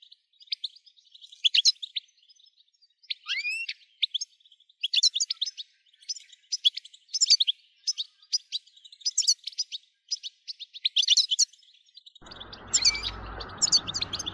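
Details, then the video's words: European goldfinch song in the 'tabtaba' style, played to stimulate goldfinches to sing nonstop: rapid tinkling, twittering phrases with sharp high notes in quick bursts, and a burst of rough noise near the end. "بتبتة نااار يا حبييبي ناااار لتهييج الحسون ستجعله يغرد من دووون انقطاع"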